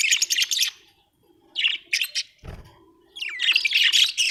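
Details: Happy budgie chattering in dense rapid bursts, scratchy buzzy warbles running together, pausing, then resuming with a long loud rolling chatter, one low thump in the middle.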